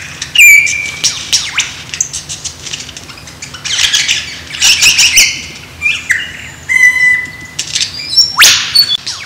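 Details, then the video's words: Loud varied song of a male lyrebird in Australia dancing to attract a mate: sharp whistled notes, harsh rushing bursts and metallic squawks, mixed in quick succession. "Incredible Lyrebird Mating Dance"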